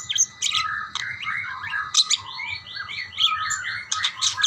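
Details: Budgerigars chattering back and forth, including a quick series of repeated rising chirps in the middle, set among warbled notes and sharp high tweets, over a faint low hum.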